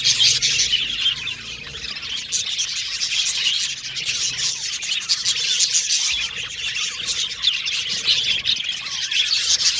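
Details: Pet Australian budgerigars in a group, chattering and warbling together in a dense, continuous, high-pitched mass of rapid chirps and scratchy notes with no pauses.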